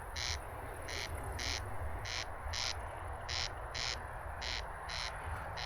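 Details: Corn crake, a rare Dutch breeding bird named after its call, gives its dry, rasping double 'crex crex', each harsh note about half a second apart, like nails run along a comb, over a low background rumble.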